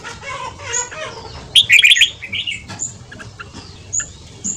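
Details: Morning training song in the quick ché style from a red-whiskered bulbul, to rouse newly caught birds: a loud, rapid warbled phrase mid-clip among softer chirps and scattered high whistles from other birds.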